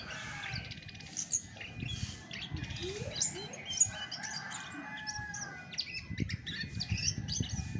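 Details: Chestnut-backed thrush voice alone, without other training birds: strings of high chirps, clicks and short whistles at an irregular pace, with a couple of loud sharp notes and a faint low rumble.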